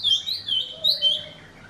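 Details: Golden-fronted leafbird giving clear, high whistled notes that slide up and down in short looping phrases, two bursts about half a second apart, with a faint lower tone beneath and little else around.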